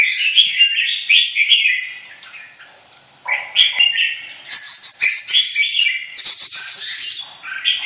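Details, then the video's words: Caged red-whiskered bulbul, a white-winged bird in high singing form, singing loud slurred warbling phrases, then rapid bursts of sharp, high rattling notes, then warbling again. "khủng long 01 lông cánh trắng vào lửa"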